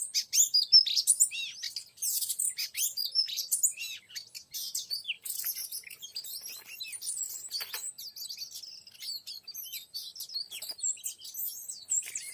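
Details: Oriental magpie-robin sound used to lure a young wild male: a long, busy stream of quick, sharp chirps, clicks and short whistles with hardly a break, a few louder bursts standing out.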